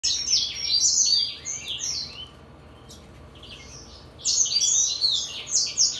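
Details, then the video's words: Brimstone canary x greenfinch hybrid from 2022 singing rapid, high twittering phrases of buzzy chirps and slurred notes, breaking off into a near-silent pause of about two seconds before a fresh burst of twitters resumes. "2022 hybrid (brimstone canary x greenfinch)"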